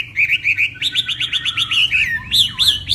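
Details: Northwest Vietnamese hwamei singing in a morning duel: a short trill of repeated notes, then a rapid string of downslurred whistles, ending with loud looping swoops.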